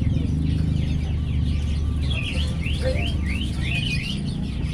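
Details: A colourful lovebird in gacor song, still learning its sounds, gives a series of arched chirps, each rising then falling, over loud low droning background noise.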